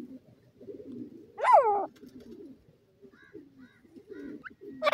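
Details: Playful baby francolin (teetar) chick hopping about: one loud sharp downslurred peep, followed by several faint short chirps and soft low background murmuring.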